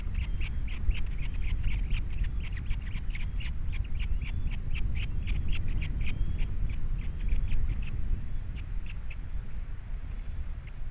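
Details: Osprey calling at its Captiva nest with three chicks, 21 February 2022 nest-cam recording: dense, quick, high chirps that slow and fade in the last seconds, with a heavy wind rumble.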